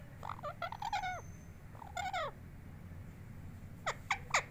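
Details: Talking pet parrot producing quick bursts of clipped, harmonic speech-like syllables, first a rapid cluster, then a short phrase, then three sharp notes at the end, with constant low background hum.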